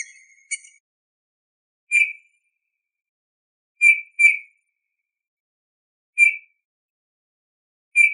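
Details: Eurasian bullfinch recorded in 2018 giving soft, mellow piping whistles, single short notes about every two seconds with one quick doubled pair, against quiet surroundings.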